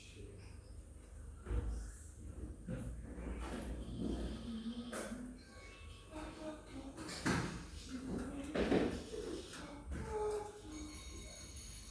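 Indoor speech with door and cupboard knocks and scrapes; no clear animal calls.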